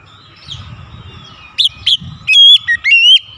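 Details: An oriental magpie-robin provoked to sing aggressively: after quiet murmuring, sharp upslurred notes lead into loud whistled phrases of wavering tones.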